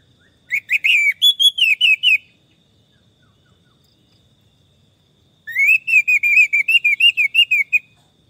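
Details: Orange-headed thrush song played as therapy for stressed birds that have stopped singing: two bursts of quick, repeated whistled notes, rising then wavering, about a second and a half each and separated by a long silence.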